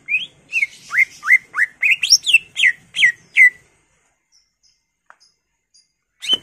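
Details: Greater green leafbird singing a rapid run of about ten upslurred and downslurred whistles, rising into sharper notes, then falling quiet before one final whistle.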